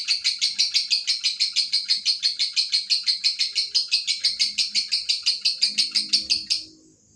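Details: Lovebird long trill, ngekek panjang: rapid, regular shrill pulses delivered continuously for about six and a half seconds before stopping abruptly into near silence.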